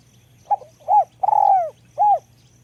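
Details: Spotted dove giving its small-voiced ลูกกอก call: short opening note, arched coo, drawn-out stuttering coo that falls away, closing rounded coo, over a low steady hum and soft regular ticks.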